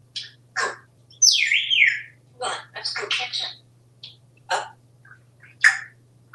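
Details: African Grey Parrot living in a Texas home mixing spoken syllables with a swooping whistle that falls then levels, followed by short clipped chatter notes and pauses; faint steady hum.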